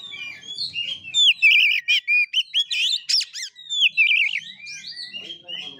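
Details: Oriental magpie-robin (kacer) singing in the 'ngeplay tarung' fighting style, 'gaya kura kura': rapid run of loud, varied whistles, trills and wavering notes in quick bursts, with a faint low hum at the start and end.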